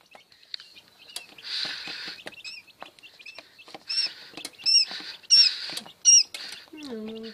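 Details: Newly hatched quail chicks, the first brood from an incubator, giving thin high peeping calls, some upslurred whistles, scattered through with rustling and tapping; a lower descending chirp near the end.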